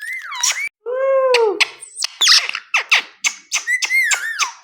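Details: Pet Indian ringneck parakeet talking indoors: a swooping whistled syllable, a drawn-out harmonic word-like sound, then a burst of sharp clicks and squeaks, ending in another wavering whistle.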